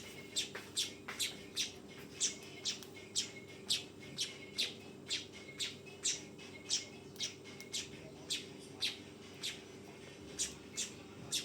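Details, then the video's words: Young weaver calling insistently: rapid series of shrill, squawky chirps, roughly two per second, some in quick pairs, against a steady low hum. "SUARA BURUNG MANYAR TROTOLAN!!"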